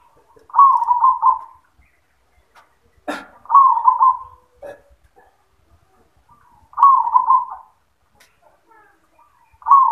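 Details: Zebra dove singing on its perch in the yoman style: rolling, trilled cooing phrases repeated about every three seconds, four in all, with a sharp knock and faint clicks in the quiet gaps.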